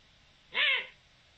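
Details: Eurasian eagle-owl giving a single loud, rough arched call, recorded 7 October 2020; the note rises and falls over about half a second amid quiet hiss.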